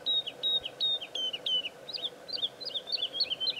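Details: Woodlark singing at Serra do Suído: slow, high, fluty slurred notes falling slightly in pitch, then speeding into quicker, twisting double notes in an irregular series.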